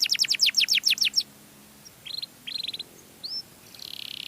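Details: A canary sings to lure other canaries: a quick burst of loud descending chirps, a pause, then short buzzy trills, a single upward whistle, and a soft rolling buzz.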